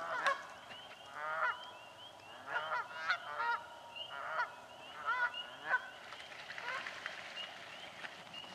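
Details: Canada geese battling for nesting spots in swampy habitat: repeated short honks from several birds, loudest early on, fading into a softer murmuring chorus.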